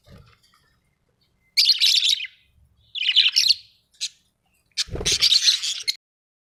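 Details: Pet budgies in a home, uttering three or four loud bursts of harsh, chattering high chirps, each lasting under a second, the last joined by a dull low thump.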